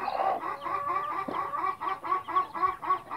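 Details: Mother hen with chicks, blue-coloured, kept as backyard poultry; rapid repeated clucks about four per second, with thin high chick peeps mixed in throughout.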